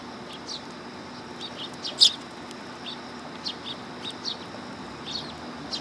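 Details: High, thin chip notes from a willow tit arriving for food at a Tenmangu shrine, 1 September 2022, with one loud sharp note near the two-second mark and fainter chips scattered around it.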